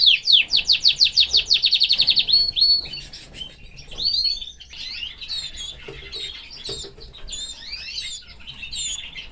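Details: A male canary with his family delivers a loud, rapid rising-and-falling trill, then softer scattered chirps and twittering notes that fade toward the end.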